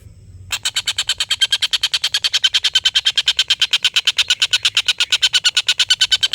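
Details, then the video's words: Collared kingfisher with its long cackling call, used to train competition birds. A short silence, then a steady stream of loud rasping notes, roughly three per second, keeps going to the end. "tengkek buto ngekek panjang master burung"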